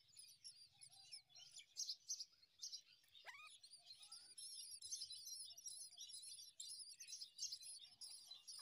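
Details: Common myna tending newborn chicks in the morning; rapid high squeaky chirps repeat in uneven bursts, with a sharp descending whistled sweep midway and faint low rustling throughout.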